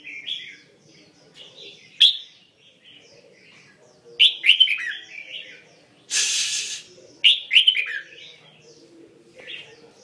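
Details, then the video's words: Red-whiskered bulbul giving a mixed-repertoire song: quick bursts of bright, warbling whistled phrases every two to three seconds, one broad hissing burst midway, over a quiet low background hum. "Chim Huế tạp giọng Songkon"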